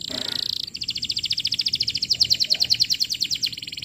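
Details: Canary singing strongly on a lure track for tutoring young canaries: a brief buzzy tone, then a long, rapid, even rattle of high pulsed notes.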